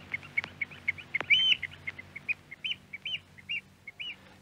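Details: Eurasian oystercatcher from an archive radio recording in Norway: loud, shrill piping notes at high pitch, irregular then in a quick series, with a few sharp clicks near the start and a faint low hum beneath.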